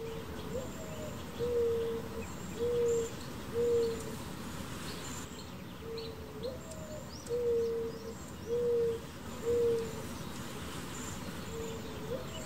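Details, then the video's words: Mourning dove in California cooing: a soft, hollow, rising first note, then three or four low, level hoots, repeated about every five seconds, with faint high twittering and a steady hiss underneath. "Mourning Dove Calls"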